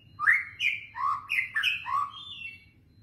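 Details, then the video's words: White-rumped shama singing in the kretetan style, used as a lure for other birds: a short burst of loud, rich whistled notes that jump between high and low slurs, over a faint low hum. "masteran pancingan kretetan burung murai batu gacor"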